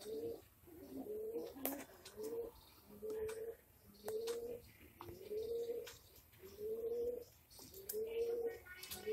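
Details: Fancy English Magpie pigeon breed from Bhavnagar, Gujarat, India, cooing in a steady series of low, slightly rising phrases, about seven repeated roughly every second and a quarter, with occasional clicks and light background noise.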